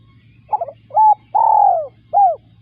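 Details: Spotted dove cooing: a trilled lead-in, one short coo, a long wavering coo that drops at the end, and a single short arched coo. A low hum runs beneath.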